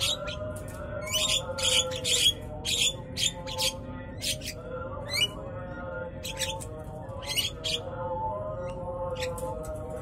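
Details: An old male Javan myna seeking to mate, courting a young bird that rejected him, gives harsh, rasping squawks and short chattering bursts at an irregular pace, over a steady low mechanical hum.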